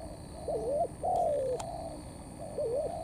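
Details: Cooing of a wild-caught spotted dove in thổ pha cấn sấm style: a wavering rising note, then a long smooth coo sliding downward, with another wavering note starting at the end.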